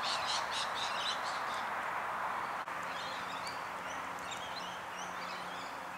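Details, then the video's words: A group of six long-billed corellas, three pairs, in suburban Melbourne, Australia, on 3 September 2019 makes a dense, raucous wash of harsh screeching calls with scattered higher chirps, over a steady low hum. "Long-billed Corellas"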